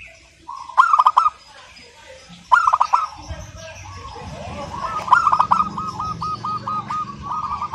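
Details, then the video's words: Local zebra dove singing without pause in a clear, crystal-toned voice: three songs, each a stuttering burst of clicks sliding into ringing coos, the last trailing into a long chain of evenly repeated short notes over a low rumbling background. "Perkutut Lokal GACOR SUARA KRISTAL MANGGUNG TANPA JEDA"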